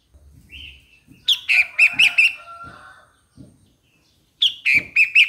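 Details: A burst of about six lively chirps from a Streak-eared Bulbul over faint low rumbling, followed after a pause by a shorter phrase of four notes.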